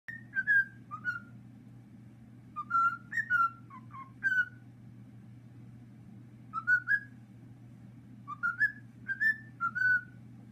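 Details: A male cockatiel, taught the tune over two weeks, whistles the "Addams Family" theme in clear, short phrases of rising and falling notes.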